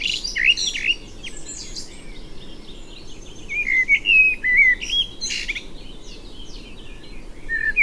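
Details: Common blackbird (Turdus merula) singing: low fluted, warbling whistled phrases that are slurred up and down, each ending in high, squeaky twittering. The phrases come in bursts with short gaps between them.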